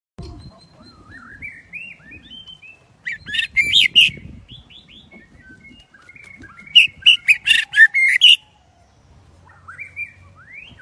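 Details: White-rumped shama of the Daklak shrimp-tail type singing in the windy season: rich fluty whistled phrases rising and falling, broken by two loud bursts of sharp, rapid chattering notes, with soft rustling noise underneath.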